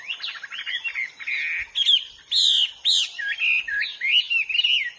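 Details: Wild Hwamei pouring out a varied song of looping whistles, buzzy bursts and sharp rising and falling slurs, loud and nearly continuous.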